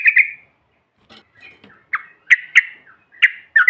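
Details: Yellow-vented bulbul trucukan recording from a group of birds, used to goad other birds: scattered, short, sharp chirps and clipped notes with gaps between them, ending in a quick double chirp.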